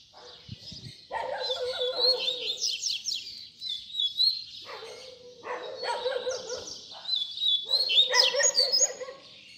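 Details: Double-collared seedeater song in the baderna style, used for teaching young birds to sing: dense, fast twittering and buzzy trills in bursts, with a lower, harsher sound repeating beneath.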